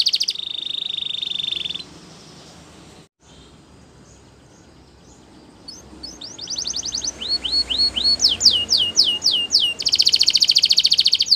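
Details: Belgian canary singing as part of canary training: a bright high trill, a brief pause, then rapid repeated whistled notes, descending slurred syllables and a fast buzzy trill, all high-pitched, over low background hiss.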